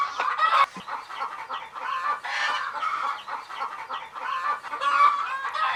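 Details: Sleepy baby chicks peeping continuously: many short, high, overlapping chirps forming a dense, restless chorus.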